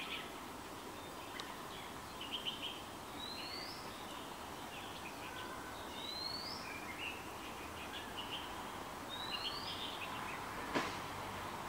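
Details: White-rumped munia at Shenzhen University in February 2019 giving thin, high, upslurred notes about every three seconds, with softer chirps in between, over a steady background hiss.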